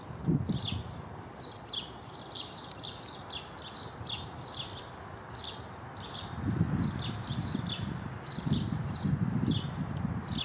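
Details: Black-capped chickadee in a backyard in Downers Grove, DuPage County, Illinois, giving rapid, high, thin call notes in quick bursts, with a few brief whistles; low wind rumble and rustling underneath.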